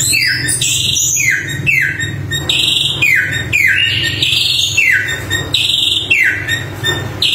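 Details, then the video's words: Samyong bird singing strongly, a steady series of downward-sliding whistles roughly every two-thirds of a second, mixed with short high notes, over a low background hum. "Suara Burung Samyong Gacor Super Mewah"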